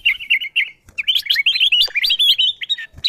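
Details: Kutilang emas bulbul lure call, used to draw wild birds down toward the sound: a run of quick whistled chirps, then a lively string of twisting, rising and falling notes with brief pauses.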